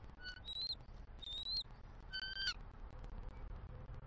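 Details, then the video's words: Bald eagle pair at a Southwest Florida nest, 6 December 2023, morning greeting vocals at nest changeover as the female reluctantly leaves the eggs. Squeaky high whistled notes, some slightly rising, several with stacked overtones, in loose groups over a constant low background rumble. "Squeaky Vocals From F23 As She Reluctantly Gets Off Eggs"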